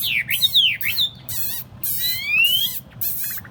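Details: Tame Chinese hwamei in a cage on a table pours out loud, clear whistled sweeps, rising and falling, in bursts separated by short pauses, ending in quick repeated notes.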